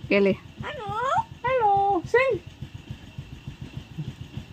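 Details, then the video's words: Pet Amazon parrot that talks in English, uttering three short voiced, speech-like syllables with bending, rising and falling tones, then falling quiet over a steady low engine-like rumble. "papagaio que fala ingles"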